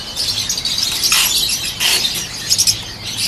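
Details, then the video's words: Peach-faced lovebirds, including yellow birds, chattering together: continuous high, piercing chirps layered over one another, swelling into louder squeaky bursts partway through. "PEACH FACED LOVEBIRD+YELLOW"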